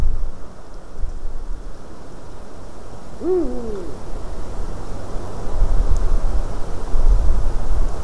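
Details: A Eurasian eagle-owl in a white-tailed eagle's nest, recorded 12 March 2019 around 18:26, gives a single low, hoarse call that rises briefly then slurs downward, over steady low wind rumble.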